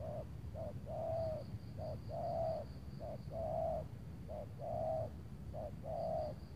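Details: Spotted dove calling on a cloudy afternoon before rain near Tangerang while luring with a decoy; loud rhythmic coos, a short note then a long warbling coo, repeated about every second, with faint low rumble.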